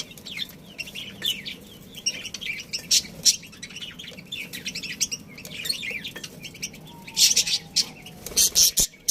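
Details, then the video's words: Budgies in a colony with a breeding pair, warbling and chirping steadily, building to sharp, loud squawky bursts toward the end, with a faint thin whistle-like tone in the background. "Cute Budgies Chirping Sounds"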